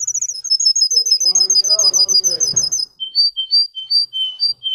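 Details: Singing Russian canary: a fast, even high trill of repeated notes, a lower rolling, churring passage, then spaced, slightly slower whistled notes repeated about three times a second.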